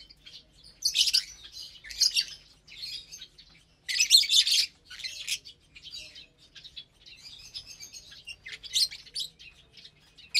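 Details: Captive lovebirds sharing a morning meal of vegetables and mixed seeds on 30 April 2022, giving shrill, high chirps in scattered bursts, with louder clusters near the start and middle and softer chatter between.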